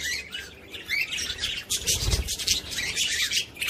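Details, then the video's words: Budgerigar chatter for stimulating other budgies: continuous overlapping scratchy warbles and squeaks with a faint low rumble beneath, loudness swelling in waves. "صوت بادجي لتحفيز طيور البادجي"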